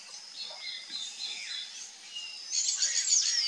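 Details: Sayaca tanager, wild and free in nature, singing outdoors. Thin, squeaky, slurred notes start softly, then swell into a louder, rapid twittering burst near the end.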